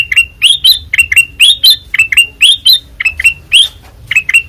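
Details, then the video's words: Kutilang emas with white eyes in full, loud song: lively upslurred chirps in doublets and triplets, roughly one phrase per second, bright and slightly harsh, with a faint low hum in the background. "Suara Asli Ngeplong Kutilang Emas Mata Putih Gacor Dor"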